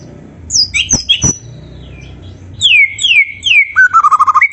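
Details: White-rumped shama in Malay song style: sharp clicks and high whistles open, then three loud descending slurred whistles in quick succession, ending in a rapid rattling trill of repeated notes.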